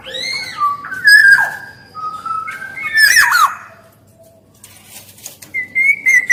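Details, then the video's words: Kepodang emas, the black-naped oriole, singing actively: mellow whistles that slide downward, a raspy harsh burst around the middle, then a quiet gap before a final thin whistled phrase. "SUARA KEPODANG EMAS GACOR"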